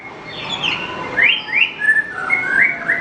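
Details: Horsfield's bush lark song used as a master recording for training other birds: varied whistled notes with rising and falling slurs, short phrases run together, moderately loud and clear.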